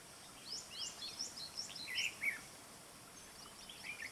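A red-whiskered bulbul gives a quick burst of bright, chirpy notes for about two seconds, then sparse softer chirps, over steady background hiss.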